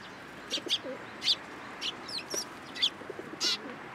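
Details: Sparrows at a Tenmangu shrine in Japan, 13 April 2023, coming onto a hand to be fed; sharp high chirps in short irregular bursts, about one every half second, over soft background hiss.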